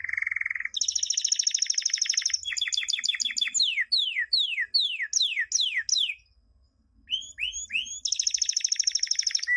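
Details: Champion canary song for teaching young birds: low rolled note, then buzzy high trills, a series of sharply falling slurred whistles, a brief pause, rising notes and a closing rapid trill.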